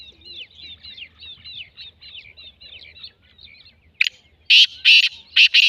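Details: Black francolin call with a run of soft twittering small-bird notes first, then four loud, rasping, broadband bursts in quick succession over the final two seconds.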